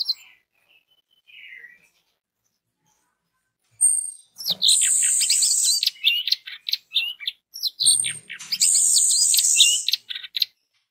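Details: Orange-headed thrush song used as a lure for other orange-headed thrushes: a faint opening phrase, silence, then loud continuous high-pitched chattering and mimicry-like twitters in two long bursts.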